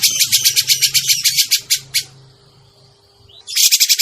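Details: Grey-cheeked bulbul lure recording for bird trapping. A fast run of rasping, buzzy notes lasts about two seconds, then a near-silent gap, then the chatter resumes. A faint constant hum sits in the background.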